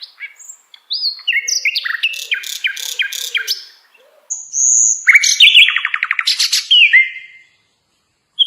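An Asian brown flycatcher sings two lively phrases of high, slurred whistles mixed with rapid buzzy trills and sharp chips. No other sounds stand out.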